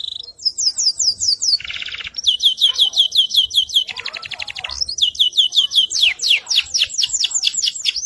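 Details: AFS-type canary in full energetic song for tutoring other birds, delivering rapid series of descending whistled notes, a lower buzzy trill, a fast rattling passage, then more quick sweeping note runs repeated several times per second.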